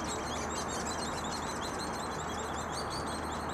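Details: Hairy Woodpecker nestlings at a nest in British Columbia, fed and cleaned by a parent, give a constant, high, overlapping chatter of shrill begging calls over a steady low rumble of background noise.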